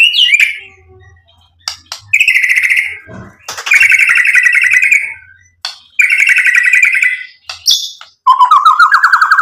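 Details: Provoking song of a white-rumped shama: bursts of rapid buzzy trills, each about a second long, alternating with brief silences, ending in a quick repeated rising chatter.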